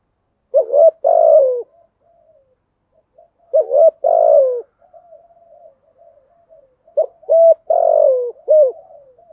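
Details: Spotted dove repeating its earthy 'giọng thổ' urging coo, a sequence sung to stir up other doves, about every three seconds: quick clipped notes and a long, low, falling coo, with soft murmured notes between phrases. The last phrase adds an extra short note.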